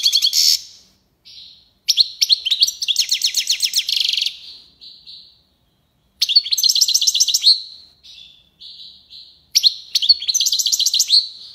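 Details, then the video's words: Tiwawati-style song of a European goldfinch from Algiers, Algeria: repeated phrases of fast, bright, metallic twittering trills, separated by short pauses and softer whistled notes. "chardonneret tiwawati"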